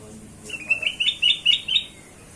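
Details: Kutilang emas, the black-crested bulbul, used to lure other birds: one clear phrase of six or seven quick, liquid whistled notes in an even, bouncing rhythm.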